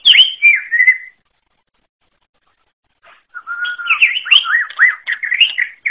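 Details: Greater green leafbird from the forest giving a falling whistled phrase, a long silence, then a steady whistle leading into fast looping warbles.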